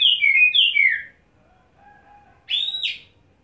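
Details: Kacer (Oriental magpie-robin) in wet setting, showing ngobra on one spot and singing isian: two loud slurred descending whistled phrases, a quiet low note, then one sharply arched whistle.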